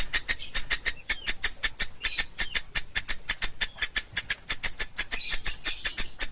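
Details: Nestling pelatuk ulam, a woodpecker, gives a continuous run of piercing, high-pitched squeaks, roughly three per second. The pace is slightly uneven, and occasional softer chirps are mixed in.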